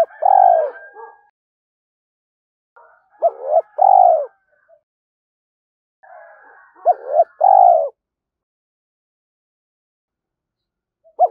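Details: Repeated spotted dove coo phrases, recorded as a lure to get young captive doves cooing: three phrases about four seconds apart, each of short arched notes ending in a longer low coo.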